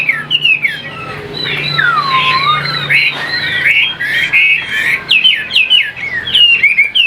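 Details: Chinese hwamei, a caged songbird from Vietnam, pours out fast, fluid whistles, including a long downward swoop, then a string of sharp, looping notes that rise and fall in quick succession.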